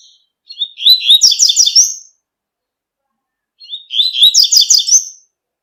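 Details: Outdoor double-collared seedeater song of the tui-tui type: a pair of sweet, fast chattering phrases, evenly spaced about three seconds apart, with silence between.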